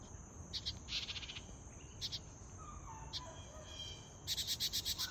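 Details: Wren chicks in a birdhouse being fed by their parents, giving bursts of harsh, buzzy begging calls in rapid pulses, with a steady high insect-like whine underneath and a few soft whistles.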